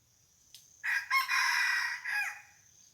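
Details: Red junglefowl decoy bird crowing to lure wild junglefowl at a spot where a barking deer came the day before: one loud harsh crow with a stuttering start and a long sustained middle, ending in a falling tail, over a faint high insect whine.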